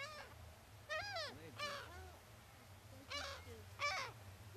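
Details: Seagulls being fed on the sand at Brean, Somerset, England, on an April spring day: loud drawn-out squealing cries with falling arched harmonics, four main bursts over a low background rumble.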